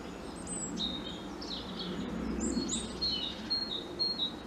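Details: A European robin sings from a treetop: a thin, high, wistful warble of short varied phrases, with sliding and trilling notes over a steady low background hum.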